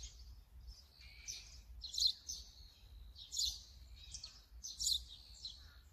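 Brown-eared bulbul giving loud, harsh, screechy calls in rough bursts roughly every one to one and a half seconds, with a faint low rumble underneath.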